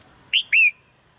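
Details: Soft call of a female red-whiskered bulbul in a cage, meant to spur the male into louder song: two clear whistled notes, a brief one followed by a longer gently sliding whistle.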